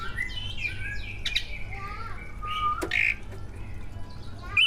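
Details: Competition greater green leafbird singing a full mimicked repertoire, used to encourage other leafbirds to sing; varied whistled phrases, slurred notes and a sharp click amid quieter background hum.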